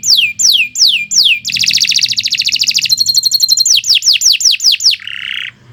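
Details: Gacor-style canary singing: spaced descending whistles, then a rolling buzzy trill, a rapid chatter, more falling whistles and a short low rattle at the end.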